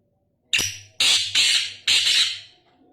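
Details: Sindhi kala tetar, a Black francolin: a burst of four rasping, scratchy notes, the last two drawn out and fading, with a soft electrical-sounding hum beneath.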